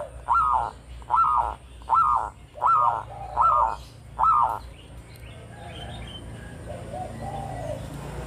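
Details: Local Zebra dove singing tirelessly and sweetly, used to lure other birds: six evenly spaced arched cooing notes, roughly one every 0.8 seconds, then softer distant warbling and a low hum.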